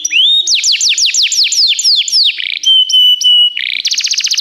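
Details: Canary song used as a training recording for canaries: a rising whistle, then about eight fast downward-sweeping notes, a short buzzy trill, steady level whistles, and a rapid high rolling trill at the end.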